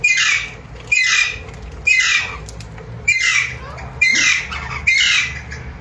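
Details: A newly acquired pet Alexandrine parakeet gives six loud, harsh squawks, roughly one a second, each a raspy burst with a ringing edge, in a quiet room.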